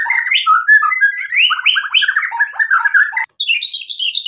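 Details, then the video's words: Energetic white-rumped shama song packed with filler phrases, fast varied whistles, slurs and trills tumbling one after another with a brief break near the end. "MURAI BATU GACOR bikin EMOSI jadi NYAUT BUNYI BONGKAR MATERI ISIAN | murai full isian"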